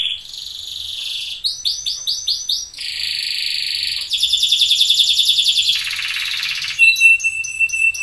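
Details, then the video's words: Orange-coloured sunkist loper canary in a lure recording: varied high song of buzzy sustained trills, quick swooping note series, rattling rolls and sharp clipped notes in fast succession. "kenari loper sunkist si warna cantik masteran terbaik"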